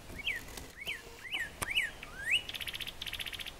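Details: Northern cardinal of the nominate subspecies cardinalis cardinalis singing at dawn in Mexico during turkey-hunting season: five clear slurred whistles, each rising then dropping, about twice a second, followed by a different bird's rapid buzzy pulsed trill.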